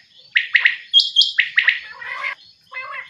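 California Quail giving a quick run of sharp, clucking notes and a couple of higher squeaks, then nasal, buzzy calls. No other sounds.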